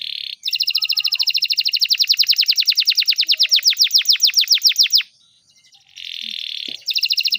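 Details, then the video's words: Canary singing, used as a master recording for young canaries: a brief buzzy note, then a long rapid rolling trill of many repeated notes, a short pause, another buzzy note and the trill resuming. "Canary Beautiful Singing"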